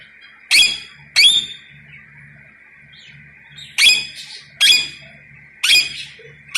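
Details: Rose-ringed parakeet giving loud, harsh, rasping screeches, five sharp bursts spaced irregularly about a second apart, over a steady high background hum.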